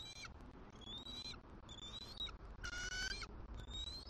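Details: Squeaky morning vocals from a female bald eagle greeting her mate at a Southwest Florida nest during an incubation changeover, December 2023: bright, piercing, slightly rising squeals in quick separate bursts, one lower, rougher note among them, with low wind rumble.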